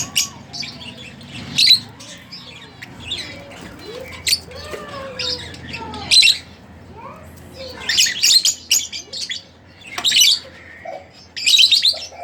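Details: Several sharp, high chirps from pet split blue Fischer's lovebirds are spaced through the recording, with thin rising and falling whistles and a low hum underneath.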